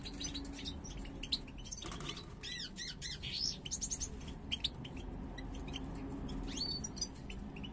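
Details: Pair of European goldfinches of the parva race, birds from 2022, coming into breeding condition with snake-like head posture; scattered high, sharp chirps and short twittering phrases, with a steady low hum underneath.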